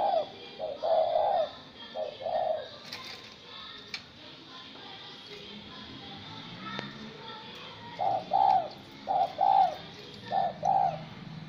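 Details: A spotted dove, caught wild and caged for 80 days, coos indoors. A run of soft, rounded cooing notes opens the stretch, then comes a quiet pause with faint background sounds, and a second run of repeated coos closes it.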